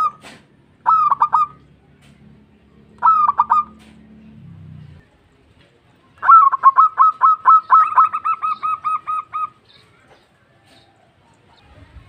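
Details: Local zebra dove in full voice calling to companions: two short clusters of clipped cooing notes, a quiet low hum between them, then a long run of rapid, even staccato coos that trails into softer, faster pulses.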